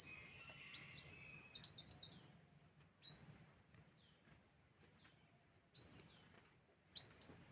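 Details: Sunbird lure recording: scattered high chirps and brief note clusters with long gaps between them, over a faint background hiss.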